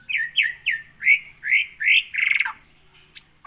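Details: Farm-kept white-rumped shama of Aceh, Gunung Leuser origin, wild-caught at Aih Ilang, Pining, in 2017. Six rapid slurred, upswept whistles come at a steady pace, ending in a harsh buzzy, descending rattle.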